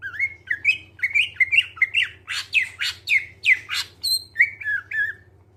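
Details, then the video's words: Greater green leafbird (cucak ijo) singing to lure others into song: a lively sequence of slurred whistles mixed with harsh, squawky rasping notes, roughly two per second, ending in softer falling whistles; low hum throughout. "Cucak ijo suara jernih, pancingan biar cepat gacor"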